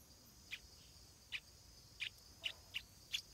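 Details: Stripe-throated Bulbul chicks near their first flight: six short, sharp chirps spaced irregularly about half a second apart, set over a steady high insect drone and faint background hiss.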